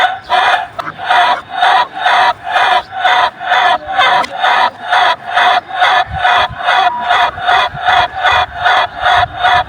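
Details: Chicken in a long crow, evenly spaced throaty pulses about twice a second sustained through the whole stretch, each syllable buzzy and harmonic, with faint low thumps beneath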